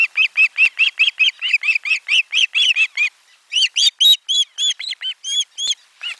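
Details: Osprey calling at the nest during a lunch fish delivery, 12 July 2022, nest camera 4: rapid, steady run of sharp arched chirps about four per second, then higher, more spaced ringing whistles.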